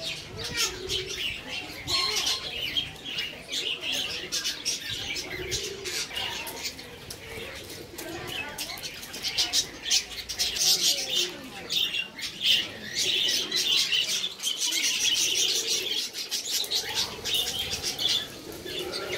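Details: A family of budgerigars chatter continuously in a dense, scratchy warble of high chirps, with bursts of wingbeats.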